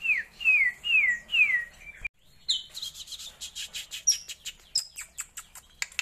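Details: Asian glossy starling, a kept bird, giving its varied song: four crisp downward-sliding whistles at a steady pace, a brief break, then rapid dry clicks and chips mixed with high thin whistled notes.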